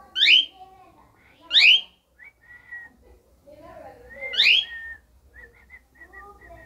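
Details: Dancing pet cockatiel, said to be talking, gives loud rising whistled sweeps followed by short flat whistled notes. Faint low murmurs are heard underneath, and the room is otherwise quiet.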